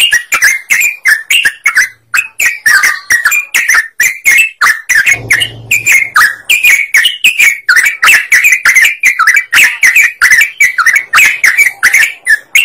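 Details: Yellow-vented bulbul in lively chattering song, used as a lure to set other birds singing: a fast, continuous run of bubbly, warbled notes with sharp clicky attacks, several per second, wavering up and down without pause.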